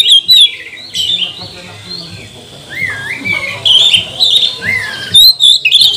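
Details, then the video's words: Oriental magpie-robin song played as a lure to make other birds sing and show emotion; slurred whistles with rising and falling glides, some soft warbling, ending in sharp, quick trilled notes. "Kacer mana yang gak mau gacor, buka ekor, bongkar emosi dengan pancingan kacer ini"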